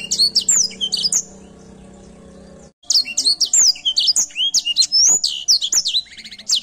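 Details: Edel Sanger canary singing actively: a burst of quick high chirps, then a pause of about one and a half seconds filled with low humming, then a dense run of sweeping whistled notes and sharp chirps.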